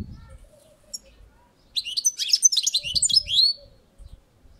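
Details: European goldfinch singing on a balcony, a quick burst of twittering, buzzy and tinkling high notes lasting nearly two seconds, with a soft low rumble beneath and a faint thin note earlier.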